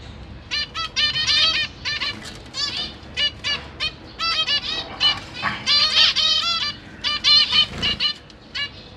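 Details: Zebra finches in a cage, with parents feeding three juveniles and three newly hatched babies, 12 September 2023: continuous chatter of short nasal beeps, about four a second, overlapping calls from several birds.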